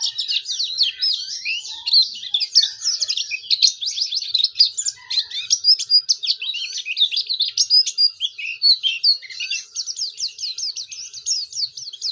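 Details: Lively Oriental white-eye song, used to prompt other white-eyes to join in: twelve seconds of nonstop high, chattering twitter, with rapid clustered notes pulsing in brief surges, strong and close throughout.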